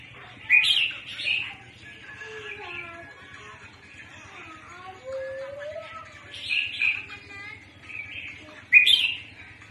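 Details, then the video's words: Red-whiskered bulbul calling a lot, its calls used in bird trapping: loud, sharp chirping bursts at the start, middle and end, with quieter human speech heard between them. "Chim chào mào mới diab quaj heev li os"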